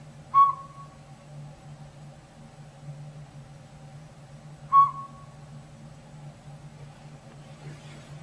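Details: Northern Pygmy-Owl, robin-sized, occupying a hollow tree's old sapsucker nest in backyard woods; two short, clear whistled toots roughly 4.4 seconds apart, low steady hum behind and a faint rustle near the end.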